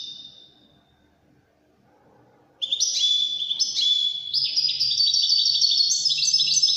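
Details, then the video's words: European goldfinch singing Widani-style song: a fading high note, a pause, then a long, loud run of high liquid twitters, rapid trills and buzzy chirps that climbs and falls in pitch. "تغريد طائر الحسون الويداني chant de chardonnere"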